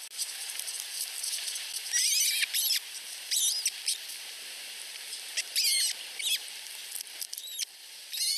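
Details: Two osprey chicks under a week old in a nest in Finland, whining and competing for food from their mother. Thin, high, squeaky peeping comes in short bursts of rapid notes, several clusters a few seconds apart, over a steady background hiss.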